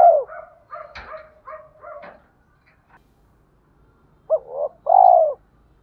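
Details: Spotted dove in 'giọng thổ' voice calling to draw wild doves to fight: a run of soft, low, stuttering coos and one sharp click, a silence, then a hooked note and a strong drawn-out descending coo.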